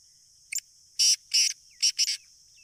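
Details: Sindhi black francolin calling strongly: a short high lead note, then four loud, harsh, rasping bursts, each about a fifth of a second, in two close pairs. Steady high insect hiss runs underneath.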